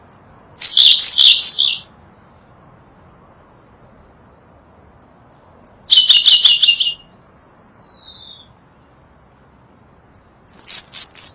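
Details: Tutor recording of a Sunda blue robin, a Java and Sumatra endemic: three loud, high, buzzy chattering phrases of about a second each, spaced roughly five seconds apart, with a soft descending whistle and faint thin notes between them.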